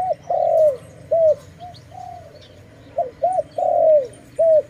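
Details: Dove in a bird-trapping setting, giving short, loud arched coos near the same low pitch, about eight notes in under five seconds, two of them longer and drawn out, over a faint steady hum.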